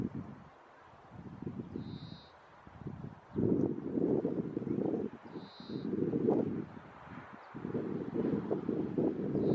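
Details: European turtle dove in spring gives deep, purring 'turrr-turrr' song phrases, each one to two seconds, with a faint high note from another bird and a soft outdoor rumble.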